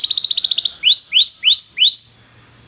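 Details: Song of a Belgian canary in training: a short fast trill of bright notes followed by four separate rising, upswept whistles, then silence.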